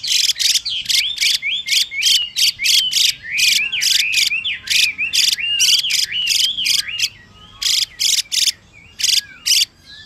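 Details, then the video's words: A Chinese hwamei male sings rich looping whistles, rising and falling, over a female's repeated rasping buzzes meant to stimulate his singing; the whistling fades and sparse harsh bursts close the passage. "Họa Mi Mái Xùy Kèm Họa Mi Trống Hót Kích"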